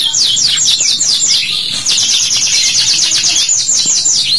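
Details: Canary song used as a lure to prompt young canaries to sing: loud continuous high trills, fast repeated chirping notes in rolling phrases, a brief pause near two seconds, then another long bright rattling run.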